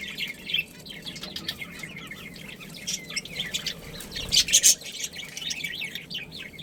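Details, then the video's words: Australian parrots, a budgerigar breeding pair, giving steady soft chattering warbles throughout, broken by one short, loud screechy burst in the middle. "Budgies Breeding Pair"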